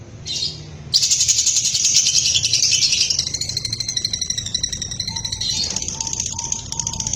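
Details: Home-kept lovebird: a brief squeaky note, then a sustained rapid buzzing chatter with layered high tones, later joined by a few thin whistled notes lower in pitch.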